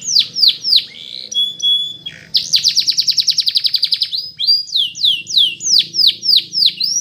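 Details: Canary training song, Spanish Timbrado: repeated down-sliding whistles, a held flat tone, a rapid rolling trill, then a long steady series of ringing descending notes about twice a second.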